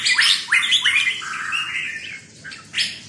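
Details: Red-whiskered bulbul in 'sai nap dok' note-counting song: three quick rising whistled notes open, followed by a sustained warbled phrase, then a pause and one final bright note.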